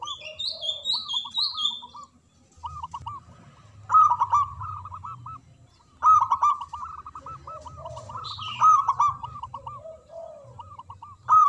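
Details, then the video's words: Local zebra dove with a large voice repeating rolled, curved cooing phrases, several loud bursts; another bird's high, descending whistled notes are heard at the start and again midway. "Perkutut Lokal Gacor Suara Besar Manggung Ngeledek Perkutut Bisu"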